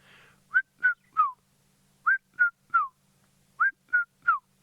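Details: Red-chested Cuckoo, possibly a younger bird, in the Maasai Mara, Kenya, giving three loud, whistled three-note phrases, each note dropping slightly in pitch, about a second apart, over a faint low hum.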